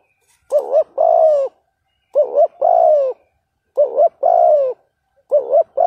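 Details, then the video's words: Spotted dove call used to lure and provoke a rival, in the 'thúc gù' pattern. Clean, loud phrases repeat roughly every 1.6 seconds. Each is a quavering double note and then a drawn-out coo sliding slightly downward. "Tiếng chim cu gáy kích bổi hiệu quả bài bản thúc gù"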